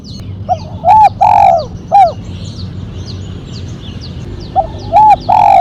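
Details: Spotted dove in the mercik style with a sharp single kuk, meant for luring and training birds: two bursts of rounded, arching coos, each of three or four notes, separated by a pause with faint high twittering from small birds.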